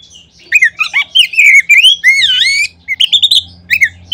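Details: Oriental magpie-robin lure song: a dense, energetic stream of varied whistles, chips and warbles, with one long, rich, swooping phrase in the middle and brief sharp notes at the end.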